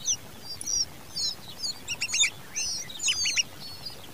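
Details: Common babbler (Argya caudata) chicks being fed by their mother make thin, high, squeaky begging calls in quick overlapping bursts, several voices chirruping at once against a faint hiss.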